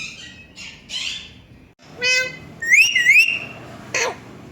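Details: Rose-ringed parakeet kept as a talking pet parrot, giving a run of loud, harsh squawks and screeches, some with strongly stacked harmonics, one a wavering ringing shriek, separated by short pauses over a quiet background.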